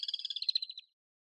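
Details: Common swift, an urban bird, giving one short shrill scream: a fast train of high rasping pulses lasting under a second, then silence.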